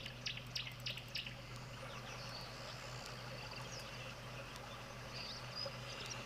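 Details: A Green-backed Camaroptera calls in the background at a waterhole as rain starts to fall: quick, dry, clicking notes in short bursts over steady trickling water and a low hum.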